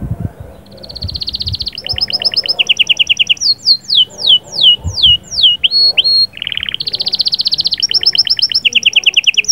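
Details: Canary singing to bring a female into breeding condition, in 'sahsahat' and 'batbatat' phrases: a buzzy held note, then rapid repeated chirp trills, a series of loud downward-sliding whistles, a sharp switch, and a long fast rattling trill. A faint low thump sounds early on.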